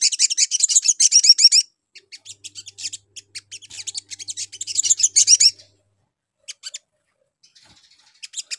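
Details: Lure call of the sogon bird, used to get other sogon to answer: a fast run of high, sharp chirps lasting over a second, then scattered notes and a second dense burst, followed by sparse single chirps.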